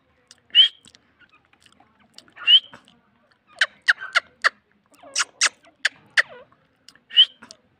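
A sand partridge gives sharp, rising whistled notes about two seconds apart, with a burst of quick clicking, rattly notes between them.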